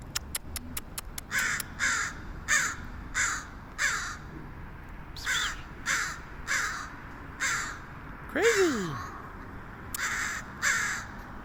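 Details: Crow calling in San Francisco, a long run of short harsh caws repeated roughly every 0.6 seconds, with a few sharp clicks at the start and a brief descending whine in the middle.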